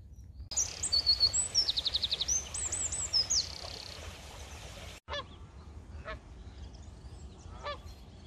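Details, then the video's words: Birdsong on an early spring walk from Bromsgrove to Tardebigge Reservoir on 3 April 2020: a fast run of high, repeated trilled notes and sweeping whistles, then after a break a few scattered sharp high calls over a steady low rumble. "Spring flowers and bird song"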